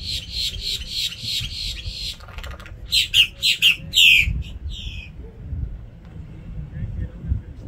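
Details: At Jetty Park, Cape Canaveral, Florida, on 17 September 2024, a Common Grackle gives a quick run of harsh, scratchy chack notes, then several louder, strident squawks that drop in pitch, over a low rumble of background noise.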